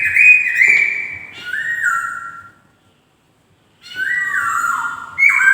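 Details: White-crested laughingthrush singing bright whistled phrases that fall in steps, then a long silence, then more sliding, stepped whistles ending on a rising note.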